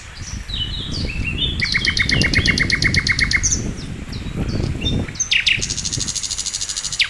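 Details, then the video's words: Master song of sikatan londo, a flycatcher, for training songbirds: twittering whistles, then a rapid series of bright chirps, more varied notes and a long fast high trill, with low rumbling noise. "masteran mewah sikatan londo gacor"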